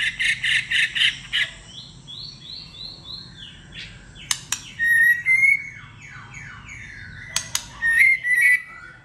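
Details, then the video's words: Competitive song of a white-rumped shama with many voices: opens with a rapid buzzy trill of five notes, then descending slurred whistles and sharp clicks, ending in bright warbled phrases; low steady hum behind. "Kích chòe lửa hót /nhiều giọng / chòe lửa hót đấu"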